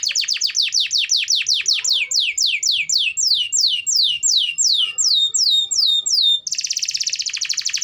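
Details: Canary song meant to coax quiet canaries: a quickening series of downslurred whistles that gradually slows, ending in a harsh high buzzing rattle.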